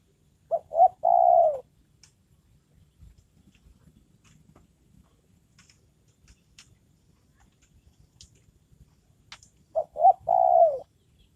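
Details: Trained decoy spotted dove calling to lure wild birds: a three-part coo phrase of two brief notes and a long drawn-out note, repeated after a pause of about eight seconds, with soft clicks and ticks between.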